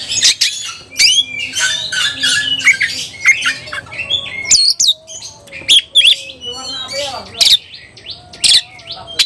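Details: Agitated caged white-rumped shama in heat, singing while seeking a rival to fight; loud varied phrases of whistles, sharp squawks and rapid chattering notes, broken by short pauses throughout.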